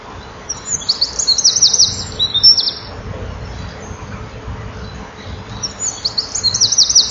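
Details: Eurasian wren, a male singing hard to females in his vicinity, caught on a nest-wall camera on 7 June 2012 at 16:57: two loud bursts of high, fast trills separated by several seconds of quiet.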